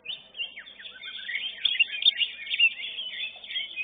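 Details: Greater green leafbird competing caged at a singing contest, winner of class 11, giving a continuous high warbling stream of slurred whistles and twittering notes, a few downward sweeps early, growing louder midway.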